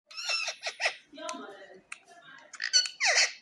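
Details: Ring-necked parakeet talking indoors, mimicking speech with a run of warbled, word-like syllables, then squeaky high chatter at the end.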